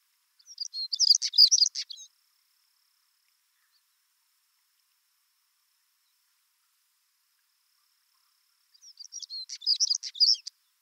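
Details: A male Siberian stonechat in Siberia, with a female nearby, gives two short, high, scratchy twittering phrases, each about a second and a half long, separated by several seconds of quiet; the bird was unafraid and flew close.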